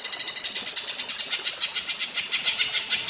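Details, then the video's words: A cucak ijo performs the platuk bawang song style for training other birds, with a steady run of high, sharp, staccato notes repeated rapidly and evenly throughout. "Masteran cucak ijo rasa platuk bawang"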